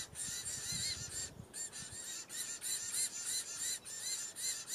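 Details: Diamond firetail in Victoria, Australia, November 2015, giving short, nasal, arched whistled notes, repeated about three times a second with little pause, over faint low rumbling.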